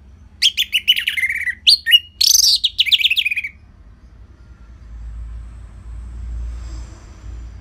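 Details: Orange-headed thrush singing in lively 'gacor' style, used as a lure to train other songbirds: a quick run of varied whistled and chirped notes with slurred falling phrases, lasting about three seconds, then near silence with low hum.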